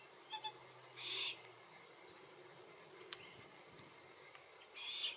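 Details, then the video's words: Glossy Black-Cockatoo in Capertee Valley, subspecies lathami, at feed trees eating Allocasuarina verticillata seeds: one rasping drawn-out call early on, and a second similar call near the end, with faint short chirps before the first. "Glossy Black-Cockatoos in Capertee Valley - Includes calls and feed tree identification"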